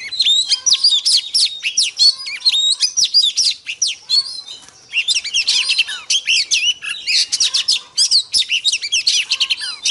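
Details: Female Oriental magpie-robin singing to stir up male birds: a fast, dense stream of high, varied whistles, chirps and sharp slurred notes, barely pausing, with a brief break near the middle before the rapid phrases resume.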